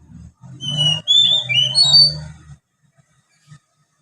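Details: Young Oriental magpie-robin rehearsing ngriwik song with sparrow filler: a short series of high whistled slurs, some rising, some dipping, over a low steady hum, then quiet with faint clicks.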